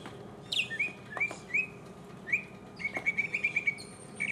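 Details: Mockingbird singing solo, recorded in 2015: a varied string of high whistled and chirped phrases, some sliding, ending in a quick run of repeated bright notes, with quiet gaps between phrases and a faint low hum underneath.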